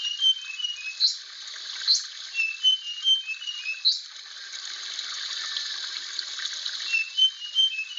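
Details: A blue flycatcher, a rare protected songbird of Aceh, gives short clear whistles in loose runs, with a few sharp high accents near the start, over continuous hiss.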